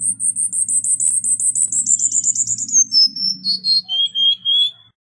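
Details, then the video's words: Song of a Cuban bullfinch: a long, thin, very high trill of rapidly repeated notes that steps down into lower sustained whistles, over a faint low humming background. "Negrito Cubano Canto - Cuban Bullfinch Bird Song"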